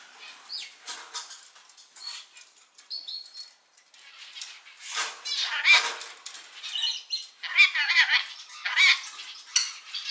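Rainbow lorikeets chatter in harsh, high screechy bursts and scratchy squawks, overlapping irregularly with a few brief whistled notes.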